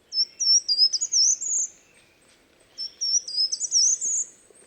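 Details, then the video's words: Short-toed treecreeper song: two brief, high, energetic phrases of quick rising notes, each under two seconds and nearly identical, separated by a short pause. This species' song is short and almost always the same. "le chant du Grimpereau des jardins est bref, aigu et énergique, et il répète presque tout le temps la même chose. Écoutez."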